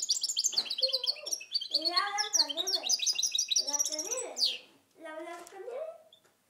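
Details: Caged goldfinch × canary hybrid from 2010 singing a fast run of high twittering, trilled notes, with lower voice-like sounds mixed in through the first half.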